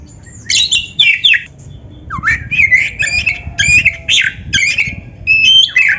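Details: Caged-bird training song of an oriental magpie-robin: harsh chattering bursts alternating with looping whistled notes and quick twitters, delivered in short energetic phrases.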